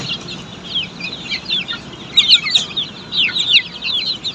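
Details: Australorp chicks kept on a poultry farm give softer scattered cheeps that swell into louder clustered bursts of shrill falling peeps halfway through, with a faint low background rumble.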